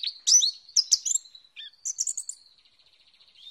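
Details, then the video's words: Oriental white-eye singing, used as a lure to coax lovebirds into song: bright, high chirps and twitters at first, then a thin trailing buzzy trill that fades out. "Suara pancingan pleci macet bunyi"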